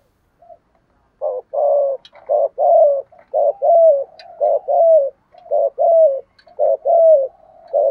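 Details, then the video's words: Spotted doves, male and female, calling to stimulate other doves to sing for training; rapid series of low hollow coos with short rising and falling notes, closely repeated with brief gaps. "Chim cu gáy kích bổi mới/ cu cườm gù thúc/ tieng chim cu moi thuc gu giong tho cu moi"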